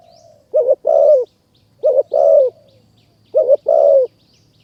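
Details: A wild spotted dove from high forest in Kanchanaburi, Thailand, calls while responding to a caged decoy bird. Three mellow coo phrases, each a clipped two-part note followed by a drawn-out falling coo. Thin high twitters sound faintly in the background.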